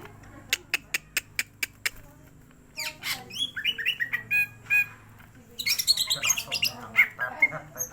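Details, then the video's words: Greater green leafbird in a cage, excited to sing: a series of sharp ticking clicks, then a lively flow of warbled whistles, chirps and rasping notes, over a faint low hum. "Mendongkrak emosi burung cucak ijo."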